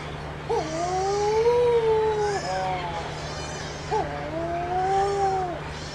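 Two long, moaning wails from a Wedge-tailed Shearwater, each about two seconds, rising then sagging at the end; a steady low hum underneath.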